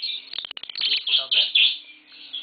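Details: Indoors, a green Fischer's lovebird pair mates and the birds are expected to hatch chicks in about two weeks. Quick clicking ticks lead into a dense run of shrill, high chirps and squeaks.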